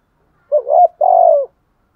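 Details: Decoy spotted dove cooing in the gù bài lối style: one low phrase of two short hooked notes, then a longer, steady, slightly falling coo after a brief gap.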